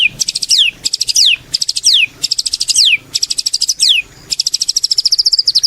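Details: White-rumped shama in prolific song, used as a lure to make other shamas sing: high, fast pulsed phrases, each ending in a descending whistled sweep, repeated about six times with short pauses.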